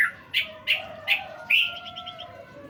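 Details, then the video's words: Sooty-headed bulbul recorded as a training song for songbirds: four sharp, bright chirps in the first half, then a longer burbling note trailing into quick fading twitters, over a steady low tonal hum from another source. "Masteran trucukan full isian"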